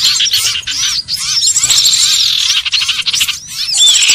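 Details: Common iora lure call used for trapping birds: a dense, loud chorus of high chattering, trilled and whistled notes with quick upward and downward slurs, overlapping almost without pause.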